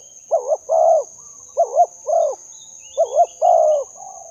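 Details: Spotted dove calling to lure other doves: three paired coo phrases about every 1.3 seconds, each a quick wavering double note followed by a longer, level coo, with a constant thin high whine throughout.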